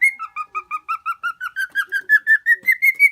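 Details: Male lutino cockatiel, four years old and living as a hand-tame pet in Osaka, alternates high and low whistled notes in an even beat, the lower tones slowly climbing toward the upper ones.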